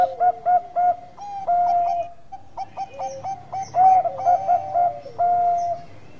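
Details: Zebra dove (perkutut, Bangkok strain) singing actively: continuous phrases of quick, clipped, mellow coos broken by longer level notes, with overlapping voices at slightly different pitches.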